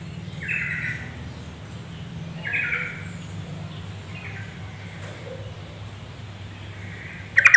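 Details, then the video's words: Female yellow-vented bulbul whose calls are meant to provoke males to sing: short rasping chatter bursts at uneven intervals, a few faint and a louder one at the end, with a constant low droning hum behind. "Suara trucuk betina memancing jantan"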